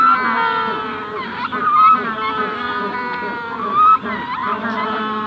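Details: Adult Magellanic penguins at the hatching stage calling near the recorder, the general colony audible farther off at Punta Tombo; layered harmonic brays overlap throughout, with louder bursts near two and four seconds.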